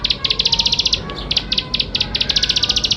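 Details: Energetic bar-winged prinia song used to encourage young birds to sing quickly: clean, rapid strings of high, sharp ticks, about a dozen per short run, separated by tiny pauses.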